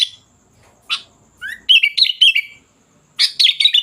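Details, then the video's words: Sooty-headed bulbul song: a few isolated chirps, then an upslurred whistle leading into a rich warbled phrase, followed by a dense burst of chattering notes. "Suara Kutilang Gacor Dorr"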